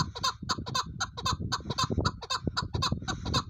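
Chukar partridge giving harsh, clucking chuck notes in quick, uneven bursts, roughly two per second, over a low background rumble.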